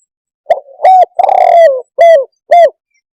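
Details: Close, clear spotted dove cooing: a quick note, a hoarse double coo, a long sliding croo that dips at the end, and two short low coos, with nothing else audible.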